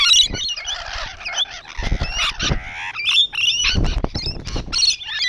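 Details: Rainbow lorikeets gathered on a wall give scratchy, buzzy screeches and short metallic chirps in uneven bursts, with thumps and scuffling noises between calls.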